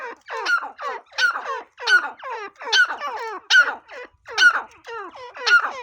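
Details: Grey francolin, or teetar, calling with loud, harsh, ringing phrases. Each phrase is a quick cluster of descending notes, repeated roughly every 0.7 seconds in a steady series. No other clear sounds.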